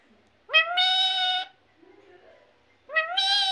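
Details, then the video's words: Speech imitation by a parrot: two matching two-syllable words about two and a half seconds apart, each a short rising note then a longer bright steady tone, with a faint low murmur between them. "mithu mithu mummy mummy"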